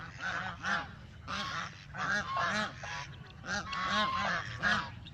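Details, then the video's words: Several ducks captured with a phone camera while walking, calling in overlapping nasal, honk-like bursts, about ten calls in five seconds, some doubled, with a low steady rumble beneath. "Beautiful Ducks, Sounds & Walking"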